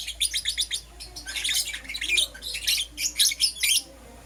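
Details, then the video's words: Lovebirds, Euwing Green Opaline and Lutino colour forms, in the morning: rapid bursts of shrill, high chirps in quick clusters, with brief pauses between runs. "Lovebird Chirping Sounds"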